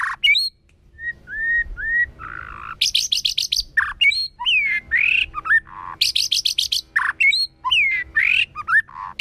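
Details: White-rumped shama singing in a wild, forest-style voice: short rising whistles, a rasping note, then alternating bursts of high buzzy trills and curving whistled phrases.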